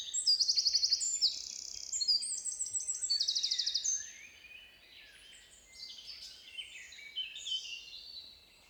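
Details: Eurasian wren song, played back, marking territory; very loud for such a small bird, in long musical phrases of high rapid trills and sharp notes, a bright burst in the first four seconds followed by softer twittering.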